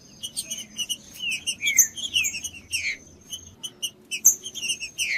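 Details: Song of a green-winged saltator meant to warm up a silent bird: short falling whistles scattered among dense high chirping and a faint continuous high tone.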